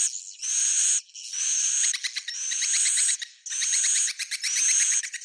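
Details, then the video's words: Swiftlets' roosting call, Bhayangkari style, as alternating buzzy bursts with thin climbing whistles and rapid ticking runs between them, repeated steadily. "Suara Inap Walet Bhayangkari"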